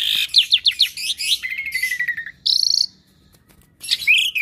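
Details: Asian pied starling, a lively caged bird that mimics other birds, giving a varied song: quick rising whistled notes, a long steady whistle, a buzzy burst, then a rising whistled phrase after a short pause.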